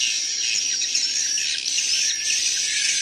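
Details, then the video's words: Chorus of young swiftlets, several chicks together with adults, giving close-packed, high-pitched chattering chirps; an unbroken shrill twitter throughout, dense and overlapping, with a faint constant high tone. "KARAKTER SUARA ASLI ANAK BURUNG WALET"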